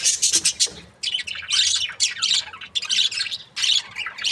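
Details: Budgies kept as breeding pairs produce loud, harsh, high-pitched chirps and squawky warbles in quick bursts, roughly one to two a second, with several birds calling over each other.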